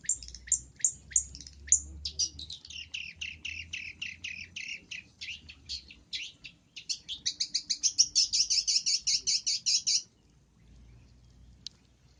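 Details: Long-tailed shrike masteran, full-isian gacor cendet song: quick ticking notes give way to a rapid stuttering series, then a long high trill of buzzy rattles that stops abruptly, followed by near silence and a low background drone.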